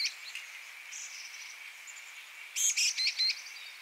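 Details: Black-capped chickadee at fledging, a youngster leaving the nest, giving four quick, high, thin call notes in a short burst near the end over a steady insect-like hum.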